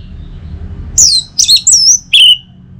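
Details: Morning song of an orange-headed thrush in North Bali, meant to get other birds singing: a few loud whistled and slurred phrases after a quiet start, ending in a falling whistle.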